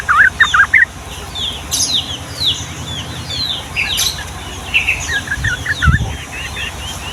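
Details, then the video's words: Yellow-vented bulbul (trucukan) with an energetic 'gacor' Ngombak Banyu 'ropel' song meant to prompt young or quiet birds to sing: an opening burst of slurred chirps, scattered higher notes, then a renewed chattering run near the end, with a low thump. "SUARA BURUNG TRUCUKAN GACOR ROPEL PANJANG UNTUK MASTERAN DAN PANCINGAN TRUCUKAN PAUD"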